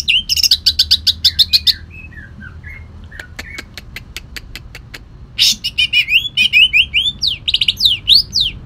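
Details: Caged Kalimantan green leafbird giving a coarse, rapid song with bursts of harsh buzzy chatter, a quieter run of sharp ticks and short slurred notes in the middle, then loud swooping whistled phrases.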